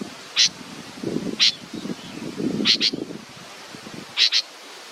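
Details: Baby bird waiting for its mother gives sharp, high chirps, single and then in quick doubles, roughly once a second, above soft low rustling.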